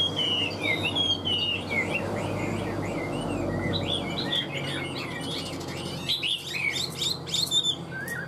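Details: Captive Hwamei from Vietnam, kept as a strong singer and fighter, delivers a long flowing song of bright looping whistles, trills and chattering notes, with a quiet stretch midway and a steady low background noise.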